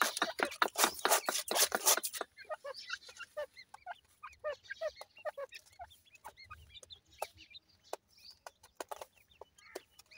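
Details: Punjab, Pakistan francolin chicks (dakhni teetar): after two seconds of loud rattling taps, a steady run of bright high peeps follows, many small downslurred cheeps in quick succession, thinning out later.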